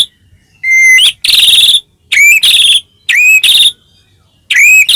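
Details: White-rumped shama singing in a cage, used to provoke another bird: clear level whistles each followed by a harsh buzzy rasp, repeated in three or four short phrases.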